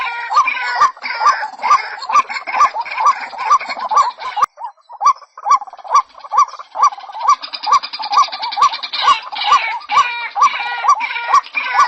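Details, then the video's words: Female white-breasted waterhen calling to a male: a loud, croaking two-part note repeated about twice a second, with a brief pause midway and a harsh, layered chorus of overlapping calls in the background. "SUARA BURUNG RUAK RUAK"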